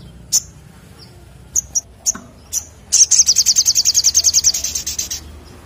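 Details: Sunbird singing: several isolated sharp high chips, then a fast high trill of evenly spaced notes for about two seconds, slowing slightly at the end.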